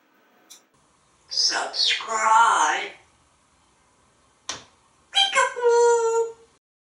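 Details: Talkative male African grey parrot, hatched in 1997 and living in a home in Texas, asks for kisses and cuddles. Two drawn-out spoken phrases are separated by a sharp click, the second ending in a harmonic, nasal tone indoors.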